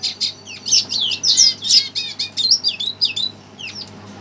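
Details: Red siskin stirred by a played recording sings a quick series of high, sharp chirps and slurred notes that tails off toward the end.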